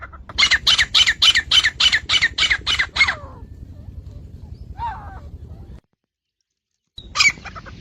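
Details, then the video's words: Iranian or Dhakni partridge, male or female, offered for calling, catching and hunting partridges: a run of about ten harsh, squawking notes in quick regular succession over three seconds, then a few scattered notes and a short silence. "Iranian & Dhakni Titar saaf awaaz Male Female Sounds"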